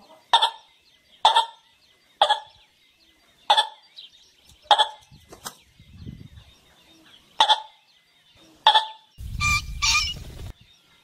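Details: Golden pheasant calling for mating: short, sharp, harsh notes repeated about once a second, eight in all, with a faint rumble midway and a louder, rougher, broadband burst near the end.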